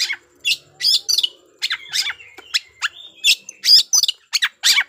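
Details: Oriental magpie-robin fight-provoking song, an energetic stream of scratchy chips, harsh bursts and brief whistles running steadily for five seconds, loud and varied throughout.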